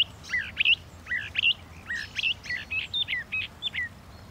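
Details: Northern mockingbird song made of quick slurred whistles and chips, phrases repeated in small clusters at an uneven pace, with a faint low rumble underneath.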